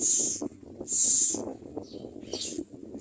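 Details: Baby common mynas begging and screaming for food while being fed: two loud hissy screeches about a second apart, then fainter rasps, over low rustling.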